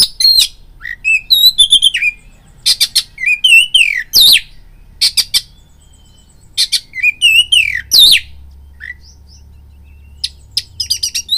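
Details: Oriental magpie-robin singing as a fighting lure: loud grating bursts alternating with sliding whistles and sharp high chips, phrases repeated after brief gaps, with a faint low hum in the background.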